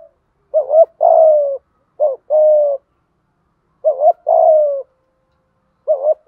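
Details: Spotted dove used as a decoy, cooing in the 'thúc gù' manner to prompt reluctant caged doves; three full phrases, each a doubled upturned note then a sustained mellow coo, with a fourth phrase starting.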